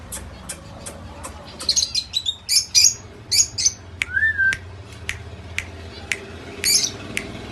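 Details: Indian ringneck parakeet, a pet talking parrot from India, giving a run of short, sharp, high chirps and squeaky squawks at irregular intervals, with one brief slurred whistle midway and a faint low background hum.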